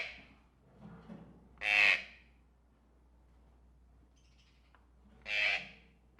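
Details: Tropical birds in a pet shop: two loud, harsh squawks near 1.8 and 5.4 seconds, broadband and centred high, with softer chatter between and a faint low hum underneath.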